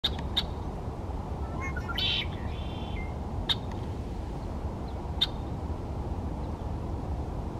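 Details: Red-winged Blackbird (Agelaius phoeniceus) recorded 30 January 2024, giving sharp, clipped check notes every second or two with one brief buzzier burst, over a steady low rumble of wind or distant traffic.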